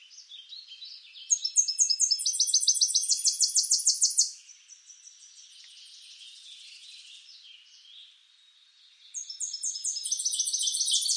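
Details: Tennessee warbler song: a long burst of rapid, very high, staccato notes that shift pitch in stages. A quieter, buzzy stretch follows, and then a fresh bright series of chips starts. No other animals or noise stand out.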